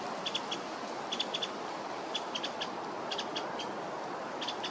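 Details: Winter wren calling in a botanical garden on 7 December 2023: short, sharp high chip notes, often in quick pairs or triplets, repeated at irregular intervals over a steady hiss of background noise.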